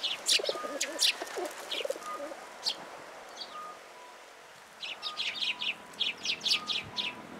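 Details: Sparrows at a shrine coming to a feeding stand for food, 14 February 2023: busy runs of rapid high chirps, some lower warbled notes, a lull, then a dense chattering flurry.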